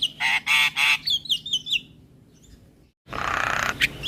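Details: Starling lure song to make silent birds sing: three loud buzzy rasping notes, then a string of wavering whistles, a brief silence and a harsh hissing burst.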